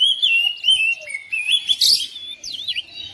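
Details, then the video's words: Short burst of song from a domestic oriental magpie-robin responding to another bird: a sustained whistled line breaking into quick varied notes and a noisy flutter. "DALAM HITUNGAN DETIK KACER RUMAHAN RESPON NYAUT IKUT GACOR"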